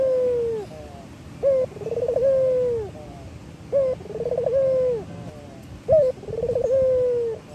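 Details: A local male Barbary dove in full song repeats a soft, rolling coo about every two seconds: a short clipped note, then a long purring phrase that slowly falls.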